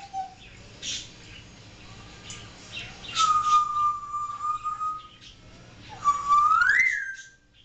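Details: African grey parrot kept as a pet and known to talk and imitate barking, here holding a long, steady mid-pitched whistle for nearly two seconds. Later comes a shorter whistle that climbs sharply upward, with faint chirps earlier.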